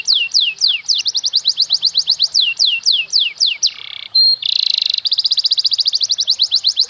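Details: Domestic canary singing a master song for tutoring juveniles, cengkok mewah style: rapid repeated falling whistles, then a brief pure tone and a fast, even trill.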